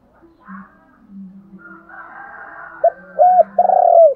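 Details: Decoy spotted dove calling to stimulate other doves to coo: faint murmuring sounds and a soft hum at first, then three low mellow coos building to a longer drawn-out final note.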